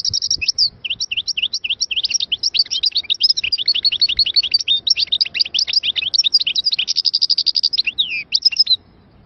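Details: Singing Algerian-type European goldfinch, Moknine, 2022: a long unbroken stream of sweet, tinkling high notes, rapid liquid twitters and short buzzy trills, delivered energetically for nearly nine seconds.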